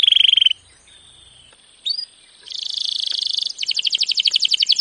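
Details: Canary training song: a short bright trill, a pause with a faint held tone and a single upslurred note, then a buzzy sustained trill followed by a fast rhythmic series of repeated notes.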